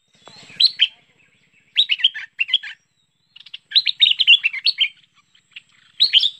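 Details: Bulbul (merbah lekir) calls used to lure birds: short bursts of quick, slurred chirping notes in high-pitched clusters, broken by pauses of about a second, in an otherwise quiet background.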